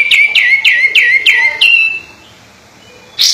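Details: Sooty-headed bulbul in lively singing form, giving a run of six bright, clear whistled notes, each sliding down then levelling off, repeated quickly for under two seconds, followed by quiet and a sharp noise burst.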